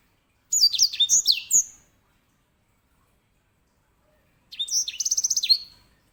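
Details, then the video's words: Grey singing finch (Serinus leucopygius), a small finch kept as a tutor bird for canaries and known for its loud rolling song, gives two bright, high song phrases of rapid twittering and sweet slurred notes, separated by a pause. "EDEL SANGER SI BURUNG BERSUARA LANTANG"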